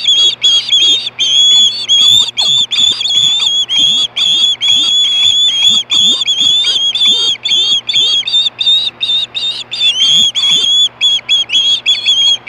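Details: Osprey at Hellgate, 2014, around 3, screaming for fish in late afternoon at 4:19 PM: continuous rapid stream of shrill, high whistled notes, repeated almost without pause for the whole stretch, with faint low thumps underneath.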